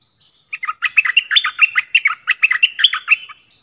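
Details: Decoy bulbul used for luring wild birds, March 2021, delivers one continuous, clear, bubbling stream of quick, varied chirps lasting about three seconds in otherwise quiet surroundings.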